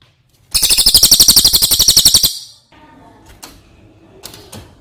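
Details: Cililin, brown type from outside Java, used as a master singer for other birds. A single shrill, rapid rolling trill runs for nearly two seconds, then quieter clicks and room noise follow.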